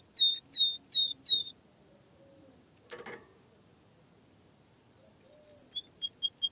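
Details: Canary gives a few sharp chirped notes, falls silent apart from a brief rustle, then resumes with a quickening series of high whistled notes.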